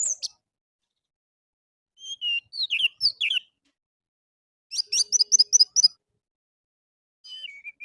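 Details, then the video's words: Orange-headed thrush morning song, used as a lure for caged birds: slurred downward whistles, a rapid series of about eight high repeated notes, then a soft warbled ending, with a quiet background. "PANCINGAN ANIS MERAH DI PAGI HARI"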